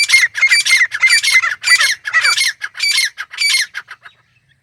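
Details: Grey francolin calling a loud series of raspy, ringing notes in pairs, slowing and fading after about four seconds.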